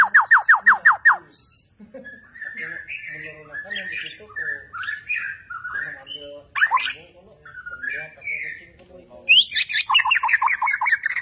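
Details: White-rumped shama of the Borneo type, very active and insistent in bowing display; opening rapid train of loud chips, then a long varied passage of warbled whistles, closing with a fast series of downslurred notes.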